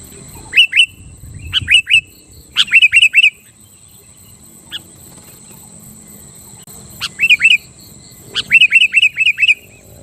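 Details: Sooty-headed bulbul in vigorous song intended to provoke rival bulbuls: short groups of two to five bright, warbled whistles spaced by gaps of a second or more, with a faint buzz behind.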